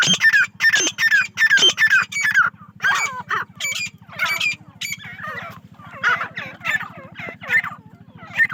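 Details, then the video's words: Female grey francolins kept on a farm in Pakistan open with loud, evenly spaced squealing notes, then give quieter jumbled chatter from several birds, all over a persistent low electrical-sounding hum. "teetar female voice || teetar ki aawaz"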